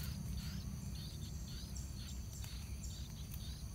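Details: Yellow-vented bulbuls at the nest on the day the chicks fledge, the young moving along the nest edge as parents keep feeding them; short high downslurred chirps repeat roughly twice a second over a steady insect drone and low hum.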